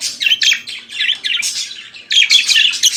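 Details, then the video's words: Chattering morning warble of a budgerigar, choppy squeaky notes and buzzy chirps tumbling one after another, with a short dip in energy before a brighter closing burst. "Periquito Australiano Cantando pela Manhã"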